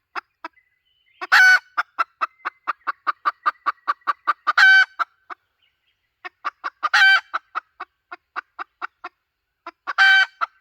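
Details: Hen call for luring birds, 2023-2024 recording: long runs of evenly spaced clucks, about three per second, each run punctuated by a loud rasping cackle, repeated four times with brief pauses.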